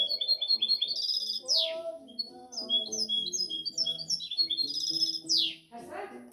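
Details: Seven-month-old European goldfinch hybrid from the 2019–2020 season singing a fast, twittering run of high chirps and liquid trills, broken by two harsh downward-sweeping buzzes, over a low harmonic hum of voice or music.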